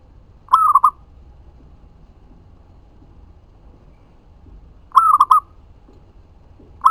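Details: Lure song of a local zebra dove, meant to provoke answering doves and raise their breeding drive: two phrases of rapid mellow coos about four seconds apart, a third just beginning at the end.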